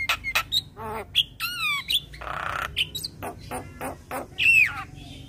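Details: Young Asian pied starling singing a varied medley of squeaky whistles, descending slurred notes, a harsh raspy phrase and a loud bright whistle near the end.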